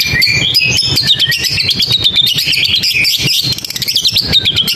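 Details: Long-tailed shrike singing: a dense run of high, fast chirps and warbled notes, some rising and falling, over a steady thumping rhythmic beat in the background.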